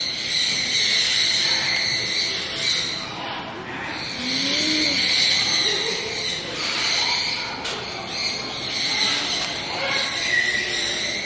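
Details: Captive striped owl, born 2016, at a bird park in Kakegawa, Japan, calling continuously: long, breathy, high hissing calls lasting about three seconds each, separated by brief pauses, over steady indoor background noise.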